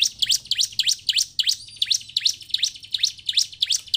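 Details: High, ringing chirps of a bar-winged prinia in a lure recording for caged birds, delivered quickly at about three per second in a regular, energetic series.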